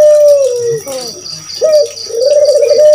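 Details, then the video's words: Spotted dove (burung puter) calling to stir other birds into answering: the end of a long descending coo, a short note, then a rolling buzzy coo, over a steady high-pitched whine and light background chirps. "Suara Burung Puter Masteran || suara pancingan jamin gacor"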